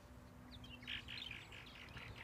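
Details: Purple martin song: a brief burst of rough, chirping, gurgled notes in a quick run, with a low hum in the background.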